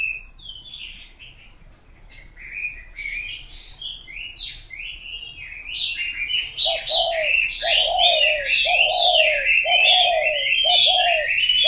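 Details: Spotted dove cooing in the second half, low hollow two-part coos repeated about once a second, each a short note followed by a longer falling one, over constant high chirping and twittering of other birds.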